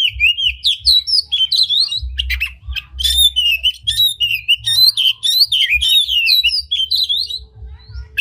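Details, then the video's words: Oriental magpie-robin in full song with tail spread, meant to provoke other magpie-robins to sing; a dense, fast stream of high whistles, sharp chirps and quick slurred notes runs almost continuously, with faint low hum beneath. "Pancingan Kacer Gacor Buka Ekor Lagu Unik! Bagus Buat Menaikan Emosi Kacer Lain Agar Gacor"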